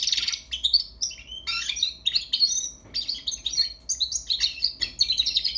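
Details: A young European goldfinch learning to sing, delivering rapid, unbroken twittering: bright, liquid and buzzy notes in short bursts separated by brief gaps, over a low steady hum.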